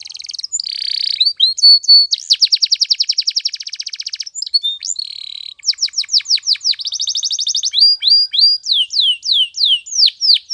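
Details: Spanish Timbrado canary training song: continuous sequence of fast metallic trills, bell-like rattles and rising whistled sweeps, ending in repeated loud descending chirps.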